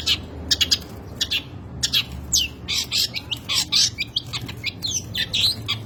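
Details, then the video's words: Long-tailed shrike delivering rich, erratic song material: rapid scratchy notes mixed with short downslurred whistles in uneven bursts, against a steady low hum. "burung cendet materi melimpah gaya urakan alias gak karuan"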